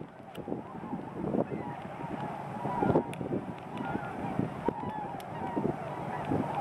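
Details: Large flock of about ten thousand tundra swans at Grand Bend, Ontario: a dense, continuous murmur of overlapping soft honking calls, with no single voice standing out, against a steady rumbling background.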